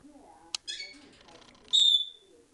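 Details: A Senegal parrot on its first morning in a new home, very vocal, possibly calling for old housemates, while holding and shaking its wings out, gives a brief rough squawk then a loud, shrill, piercing half-second scream over faint speech and room noise.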